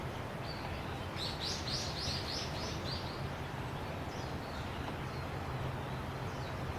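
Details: Japanese bush warbler singing in the forest in front of the house, hidden from view but very close; a quick run of about seven bright, high notes in succession, over a steady hiss of background noise.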